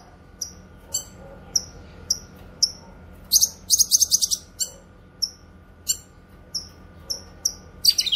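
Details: Cucak kinoy song for tutoring and luring wild birds: steady series of high, thin, downward-slurred chips about every half second, broken midway by a loud grating buzzy burst, with a squeaky note at the end.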